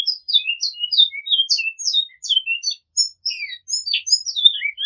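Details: Bicudo, the great-billed seed-finch, delivering its 'flauta com repetição' song, a fluty flowing sequence of short pure whistles that drop and rise in pitch, with tiny pauses between phrases.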